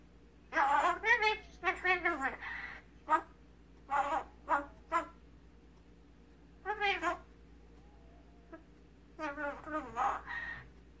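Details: Hand-reared magpie, rescued as a chick from an alley and imprinted on its human family, indoors imitating its owners' speech: bursts of harmonic, voice-like syllables in short phrases separated by pauses, with a faint steady room hum.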